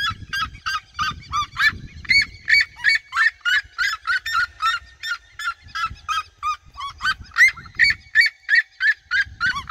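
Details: Flock of red-legged seriemas singing around the recordist in open fields of the region, Brazil: loud, rapid yelping notes about three per second, overlapping voices in a continuous chorus, with low rumbling wind or handling noise underneath.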